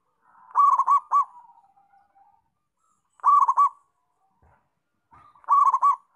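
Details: Local zebra dove in full song: three clipped, rolling coo phrases about half a second long, spaced roughly every two and a half seconds, each trailing into quieter murmured notes.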